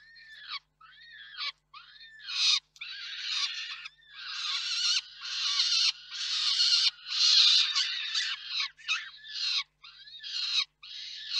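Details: Peregrine falcon parents at the KOKSIK nest in Reda, 4 May 2023, during a food handover. Over eleven seconds there are repeated harsh wailing and screeching calls, roughly one per second, some arched and some drawn out.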